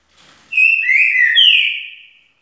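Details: Green-winged saltator (trinca-ferro) singing a rich whistled phrase of about two seconds: a steady note, then a lower slurred note, then a higher bright note sliding downward. Clean background.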